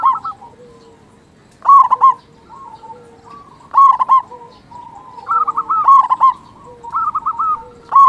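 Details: Vigorous local zebra dove singing to rouse other zebra doves: loud rolled coos recur about every two seconds, linked by softer trilled note runs at the same pitch.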